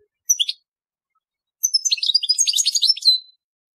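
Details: European goldfinch, telqam song style: one short chirping note group, a pause, then a rapid tumbling burst of high twittering and trilled notes lasting nearly two seconds.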